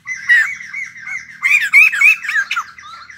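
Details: Caged white-crested laughingthrush, a fresh wild-caught bird, producing loud, rough chattering notes that rise into harsh bursts in a short continuous phrase.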